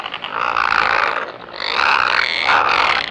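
Razorbill giving harsh, rasping growls in three drawn-out bursts, each about a second long, with no other sounds standing out.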